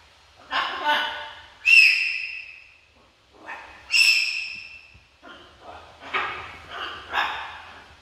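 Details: A pet macaw screeches loudly, with two strong rasping cries followed by shorter grating bursts that come in quick succession over about eight seconds in an indoor setting.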